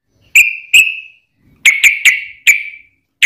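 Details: Sooty-headed bulbul, fighting lure recording meant to set other bulbuls singing; separate sharp whistled notes with slight trailing tails, given in irregular twos and threes.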